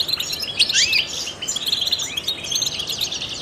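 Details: European goldfinch, a trained bird used to stimulate other songbirds, giving rapid high twittering song with tinkling notes and a few rising slurred whistles, dense and continuous throughout.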